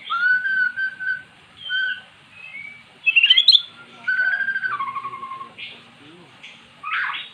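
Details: Kept magpie-robin, lured into song by recorded magpie-robin song: long clear whistles at steady pitch, a loud rapid trill, then sliding whistled notes and brief harsh bursts, with a passing vehicle faintly audible.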